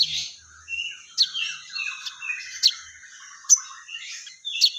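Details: Crested jay, the sogon, in lively voice mimicking fighting sparrows: sharp high chirps spaced about a second apart, with soft chattering and twittering runs filling the gaps, over a faint continuous high hiss.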